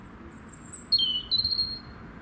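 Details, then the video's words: A robin singing its heart out: a brief phrase of thin, very high whistles, a sliding high note, then a falling note and several quick, sweet notes. "this lovely Robin singing it's heart out"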